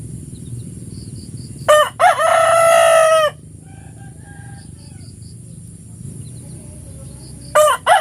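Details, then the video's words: In the morning a rooster gives a loud crow of two quick rising notes and a long harsh held tail, a softer far-off crow follows, and another crow begins at the end over a low hum. "the sound of a rooster crowing in the morning"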